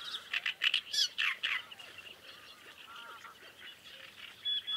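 Great reed warblers give loud, harsh, grating croaks in a rapid burst of about six notes, followed by softer chattering and scattered quieter calls.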